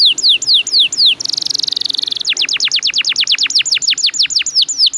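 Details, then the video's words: Long rolling canary song played as a lure: repeated sharp downward-slurred notes, a fast buzzy trill, then a long run of loud, rapidly repeated descending sweeps about four per second. "PANCINGAN KENARI GACOR NGEROLL PANJANG"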